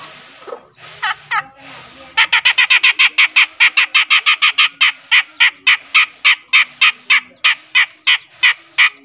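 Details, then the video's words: A black-headed bulbul kept as a tutor bird, just starting to sing regularly: a few wavering notes, then a fast, loud series of sharp, evenly spaced chattering notes, about three per second, continuing steadily. "suara burung cucak jenggot bahan yang mulai rajin bunyi"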